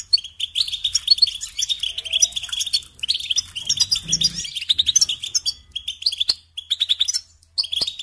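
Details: European goldfinch, song for training young birds: lively twittering phrases of quick liquid notes and buzzy trills, a short gap midway and again near the end, over a faint low hum.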